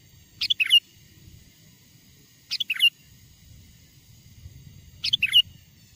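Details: Lively song of a wild sooty-headed bulbul, used to lure wild bulbuls nearer: a brief, liquid, whistled phrase of three or four quick tumbling notes, repeated three times at intervals of about two to two and a half seconds, with faint low background noise.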